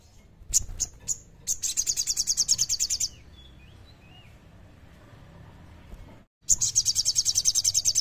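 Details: Common iora in lively kleper song, a lure for birds that sing little: sharp chips leading into a fast high buzzy trill, a quieter gap with soft slurred whistles, then another rapid trill after a brief dropout.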